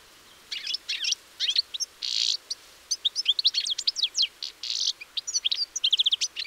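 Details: European goldfinch singing on 4 April 2018: a fast, tinkling twitter of high sliding notes, broken by short harsh buzzy bursts, in quick bouts with brief pauses and a quiet background.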